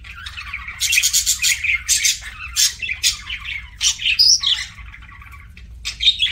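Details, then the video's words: Pet budgerigar chirping while eating indoors: rapid bursts of harsh, scratchy chirps and squawky notes in quick succession, with a short pause before a final burst. "PARAKEET EATING SOUNDS"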